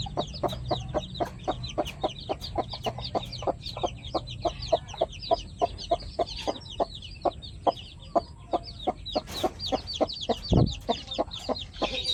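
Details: Pet chickens, including new flock members, cluck in a steady stream of short low knocks, about three per second. Thin, high, downslurred peeps are repeated over them throughout.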